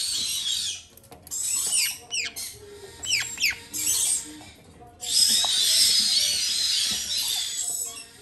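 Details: Hand-fed parrot chicks, a Jardine's parrot being fed while white-bellied and black-headed caique chicks wait their turn, give harsh, hissing rasps with a few short, falling squeaks, swelling into a continuous raspy chorus.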